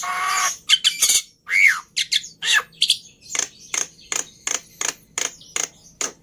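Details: Black-winged myna song, a varied run of harsh broadband bursts and a downslurred note, then a steady series of short scratchy notes about every third of a second, with a faint low hum underneath.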